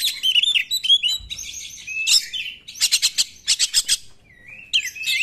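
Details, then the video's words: Oriental magpie-robin singing 'nembak', meant to prompt silent magpie-robins to sing: quick warbled whistles, then a series of sharp repeated notes, a short low slurred whistle and a final burst of chatter. "KACER NEMBAK, UNTUK PANCINGAN KACER YANG TIDAK GACOR"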